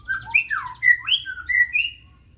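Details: White-rumped shama, Medan type, in a fast sequence of sweeping whistles and slurred notes mixed with soft high chatter, each phrase sliding up or down, ending on a long rising whistle.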